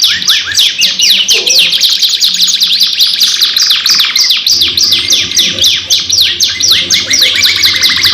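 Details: Energetic canary lure song from a long 2-in-1 recording: rapid descending sweeps repeated about twice per second, a buzzy trill near two seconds, and a faint low hum underneath.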